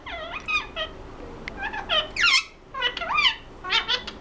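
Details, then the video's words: Pet ringneck parrot talking indoors, giving short speech-like phrases of bending, rising and falling squeaky notes in bursts about every half second, with brief quiet gaps between. "Ringneck parrot talking"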